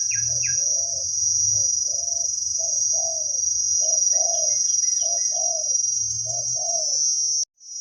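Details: Spotted dove cooing in Thailand, a wild bird praised for its big voice while being lured by a decoy: low paired coos repeated about once a second, faint high chirps, a continuous insect whine and a low rumble.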